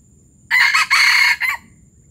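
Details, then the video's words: A Palembang junglefowl crows once, labelled 'gerabas gerabas': a rasping call of about one second broken into four pulses. The longest, harshest pulse comes third, before a short tail. The surroundings are otherwise quiet apart from faint low rumble. "Ayam hutan palembang gerabas gerabas"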